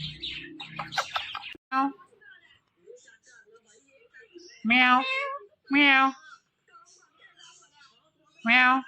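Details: Talking pet Indian ringneck parakeet gives three loud, drawn-out, meow-like harmonic calls spaced about a second apart, after a burst of quicker speech-like syllables.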